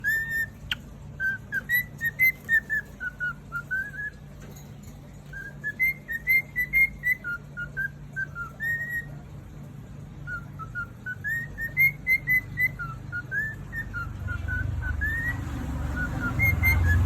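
A cockatiel whistles a clear, melodic tune of rising and falling notes in steady phrases.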